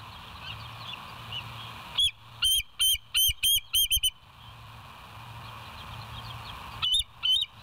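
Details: High, piping bald eagle calls from the West End nest cam, recorded 07/09/2023, 06:24: a burst of about seven quick shrill notes, a pause with low steady hum, then two more chirps.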